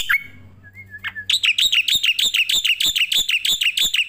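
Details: Starling song used as master audio for training other birds: a few whistled slurred notes, then a fast steady series of sharp, bright chirps repeated about three times a second.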